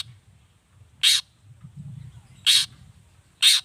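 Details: Long-tailed shrike (cendet) giving three loud harsh rasping calls at uneven intervals, meant to draw other shrikes to answer, over a steady low hum in the background.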